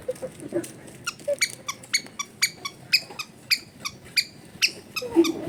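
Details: Long-tailed shrike singing in a series of sharp, harsh, ringing notes, roughly two per second, with a few soft low squeaks at the start and end, used as a lure to stir a lazy bird into song.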